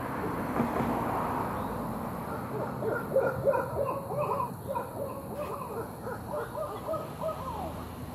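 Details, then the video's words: Barred owl calling with two birds seen: a long run of quick, bouncing mid-pitched hoots and cackles over steady background hiss. "Barred owl calling"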